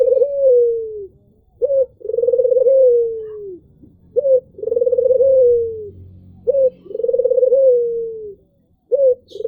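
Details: Albino Barbary dove cooing in a calm, sweet voice: a short clipped note, then a long, smooth, low coo that slides gently downward. The pair repeats about every two and a half seconds against a quiet background.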